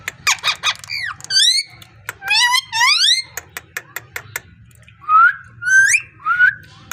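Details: Parrot making quick dry clicks followed by curving, harmonic whistled calls, more sharp clicks, then three bright rising whistles near the end.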